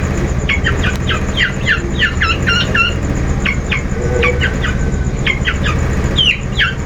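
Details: Long-tailed shrike lure song for prompting a bird to sing: rapid paired chipping notes in quick clusters, then brief gaps and more clusters, ending with a rising squeaky note over a steady low background hum.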